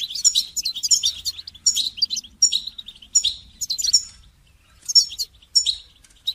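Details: Goldfinch song for training songbirds: fast, bright twittering phrases of high, tinkling notes and buzzy trills, delivered in bursts roughly every second, with short silent gaps between them.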